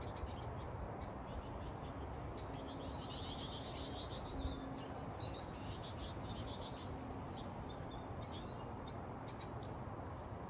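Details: Goldfinches at a feeding tree: soft, high twittering chirps and short tweets scattered through the clip, some overlapping, over a steady low rumble of background noise.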